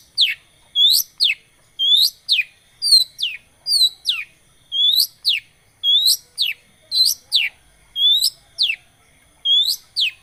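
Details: Lure song of a long-tailed shrike: clear rising and falling whistled notes, often in pairs, repeated about once a second with quiet gaps between.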